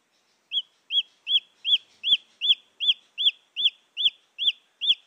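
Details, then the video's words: Junglefowl chick calling, recorded to lure female junglefowl: clear, high, arched peeps repeated steadily about every 0.4 seconds, twelve in a row, with a few faint clicks. "Suara anak ayam hutan asli"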